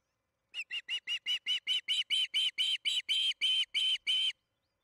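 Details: Osprey at its nest at Charlo, recorded by nest camera on June 21, 2019, around 8:15 pm MDT during an evening feeding. About sixteen high whistled chirps follow in quick succession, each growing slightly longer and louder.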